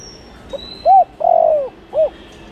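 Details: Spotted dove calling to lure in wild doves: a soft low coo phrase of a short note, an arched coo, a long drawn-out slurred coo, then a final short arched coo, with a faint thin high whistle in the background.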